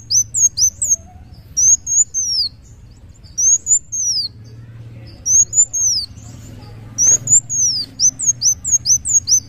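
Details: Kolibri wulung sunbird singing muncang daun style: phrases of two or three high, thin, downslurred whistles separated by short gaps, ending with a denser run of quick arcing notes.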